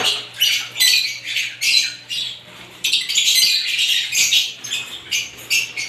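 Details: Lovebirds of various kinds give choppy bursts of harsh squawks and squeaky chirps, each burst lasting under a second with short gaps between, over a soft constant hum.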